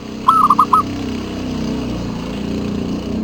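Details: Local zebra dove (perkutut) singing as a lure for other doves: one short phrase of four or five soft, bubbling coos near the start, followed by steady broadband hiss and low rumbling noise.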